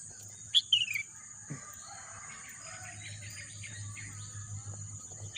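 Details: Birdsong in a green natural setting: a piercing note and a falling chirpy run near the start, another sharp note at the end, with a constant shrill insect hum behind.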